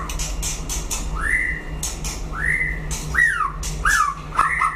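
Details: White-rumped shama in a solo singing duel, giving clear whistled notes that swoop up and level off, each about a second long, between bursts of sharp clicks and chatter, over a steady low hum.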